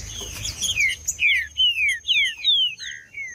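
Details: Green-winged saltator singing in male fighting mode: a loud run of clear whistled notes, each sliding downward, about two per second, with a faint steady high tone and low rumble behind.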